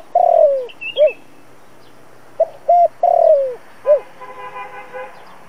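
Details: Spotted dove decoy cooing for a trap lure meant to attract wild doves quickly. Two phrases, each a long falling coo followed by a short round note, are separated by clipped introductory hoots. A buzzy, harmonic-rich background sound follows at the end.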